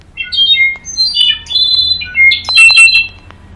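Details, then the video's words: Goldfinch and clarín singing, loud and close: a rapid run of bright, high whistled notes and sweeping trills, phrases broken by short pauses, with a few harsh buzzy notes near the end; quiet room background. "Jilguero y clarin cantador"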